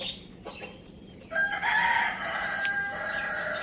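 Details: Pet Lohmann Brown rooster crowing in the morning, one long crow starting after a second of quiet background hiss, held with a harsh, raspy, slightly wavering tone and fading at the end.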